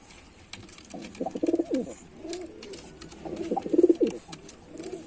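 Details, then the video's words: Male white pigeon performing, giving low throaty coos in two main bursts with softer rumbling between, a faint steady hiss in the background. "Male Pigeon Super Performance || white pigeon"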